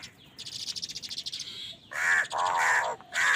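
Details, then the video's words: Crows calling loudly while fighting for food: a run of soft rapid chattering notes, then three long, harsh, hoarse caws, each drawn out and strained, the last cut off at the end. "কাকের ডাক Crow Sound Crow ki Awaz Loudly | Crow bird Fight for Food"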